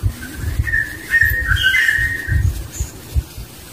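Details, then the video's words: Barbet (burung takur) with its young in the wild giving a run of drawn-out whistled notes that waver and slide, against repeated low thumping knocks in the background. "Burung Takur dan Anaknya di Alam"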